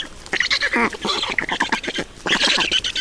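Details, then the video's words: Black storks feeding at the nest in Estonia, 2019: short nasal, croaking calls in uneven clusters, a pause, then a louder harsh burst. "Estonian Black Storks - Feeding"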